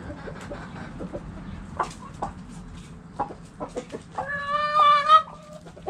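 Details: Chickens in a backyard coop: sparse soft clucks and taps, then a clear drawn-out tonal call of about one second from a hen.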